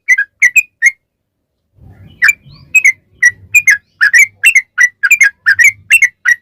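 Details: Yellow-vented bulbul singing a lure phrase to prompt other bulbuls to answer: a few bubbly notes, a pause with faint low rumble, then a dense run of chirpy, downslurred double notes.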